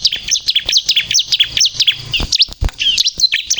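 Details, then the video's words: Bar-winged prinia (ciblek kristal) in energetic song meant to lure and provoke other birds: fast, high-pitched chattering notes sliding up and down, tightly packed, with occasional low knocks. "suara burung ciblek kristal gacor untuk pikat dan pancingan ciblek bahan agar bunyi emosi"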